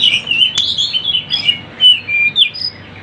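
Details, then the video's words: Short burst of Sunda bush warbler song meant for luring birds: clear, high whistled notes and slurred chirps follow each other quickly, with a few louder accents. "MASTERAN TLEDEKAN GUNUNG ||suara burung rame"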